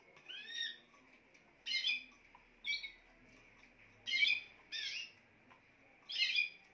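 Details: Spanish timbrado canary song: a rising whistled phrase, then several dense, bubbling, metallic bursts at uneven intervals of about one to one and a half seconds.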